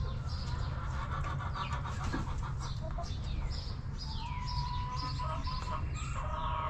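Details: Backyard coop chickens make a brief string of low clucks early on, then quieter murmuring, while sparrow-like wild birds chirp and twitter continuously over a low hum.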